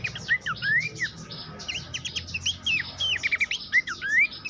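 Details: Horsfield's babbler song used as a master recording for training competition songbirds: fast sequence of rising and falling whistled slurs and short chirps, with some notes sweeping steeply upward, over a faint low hum.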